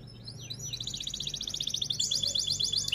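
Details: F1 canary in full song of the rolling 'rol tembak' style: after a few slurred notes, a long, fast, even high trill that speeds into a rapid rattling roll, over a steady background hiss and low hum.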